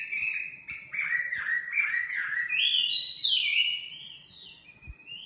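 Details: Nightingale song made of a series of short whistled notes stepping downward, then a rich rising and falling warble, ending in softer high whistles, with a few faint clicks behind.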